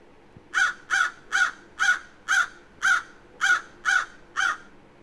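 A crow gives nine harsh, hoarse caws in a steady run, about two each second, with no other sounds around it.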